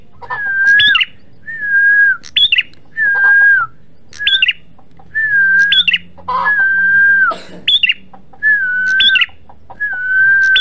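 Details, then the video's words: Red-headed prinia (prenjak merah) in an energetic lure recording: a long, level whistle ending in high rising chips, repeated about every one and a half seconds. Looser noisy notes and a low hum sit underneath. "PANCINGAN MASTERAN PRENJAK MERAH GACOR"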